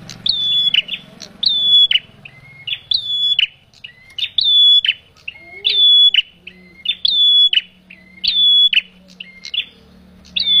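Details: Lure calls of a male bar-winged prinia for bird trapping: a steady series of piercing, slightly buzzy whistles, each starting with a quick upward flick, repeated about once every second and a quarter.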